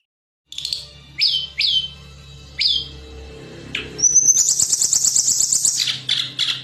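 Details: Training recording of a blood-breasted flowerpecker singing: spaced downward-flicking high chips, then a long rapid buzzy trill of thin piercing notes lasting nearly two seconds, ending in a few sharp chips. A low electrical hum runs underneath.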